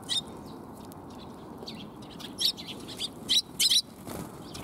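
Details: Sparrows arriving for food on 20 March 2021 give short, sharp, high chirps, single or in quick pairs, spaced irregularly over a constant broadband background hiss.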